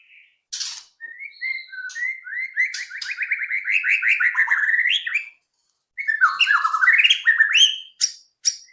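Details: White-rumped shama song used as a lure to prompt other shamas to start singing quickly: a long, fast run of repeated chattering notes rising in pitch, a short pause, then a dipping warbled phrase and sharp high chips.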